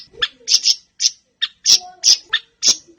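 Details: A Siri-siri bird, used as a song lure for captive birds, utters harsh, scratchy high notes in short separate bursts about every half second, with a faint lower tone between them.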